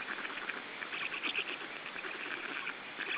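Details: Black stork chicks in their third week of life, being fed at the nest in Estonia on 14 June 2013, give a dense run of rasping, rapidly pulsed begging calls that overlap continuously without pause.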